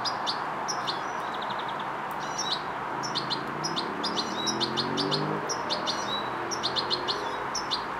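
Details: Young European goldfinch practising coordination: sharp, high-pitched chirps and brief ticking bursts come in loose groups, with a constant rushing hum and a faint low sliding tone in the background.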